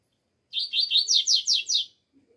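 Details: Cold-weather song of a double-collared seedeater, a brisk string of seven high, down-slurring notes, rising slightly in loudness, followed by faint soft chips.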